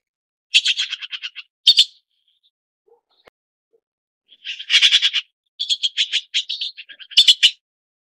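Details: Red-billed blue magpie uttering rattling series of harsh, grating notes with loud squawks, a quiet gap in the middle, then more rapid raspy chatter ending in a loud burst.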